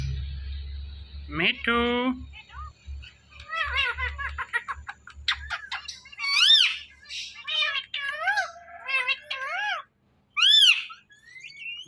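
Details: Talking pet Indian ringneck parakeet in a small room: one lower voice early on, then clipped high, arched speech-like syllables in short bursts with pauses, ending in brighter rising and falling notes.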